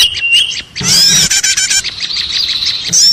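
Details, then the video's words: Trapping-lure recording of small birds: a thin whistle, then loud dense twittering and harsh squeaks, settling into steady high chatter. "suara ribut pikat burcil"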